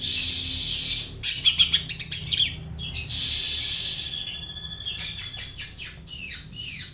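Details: Oriental magpie-robin copying house sparrow chirps as tutoring material; bursts of fast chirps and rising whistled squeaks alternate with hissy noise, closing with a few looping high notes.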